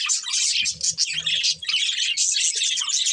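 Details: Budgies in busy chirping chatter, overlapping high twitters and warbles that run on with hardly a break, with a few soft low thumps underneath.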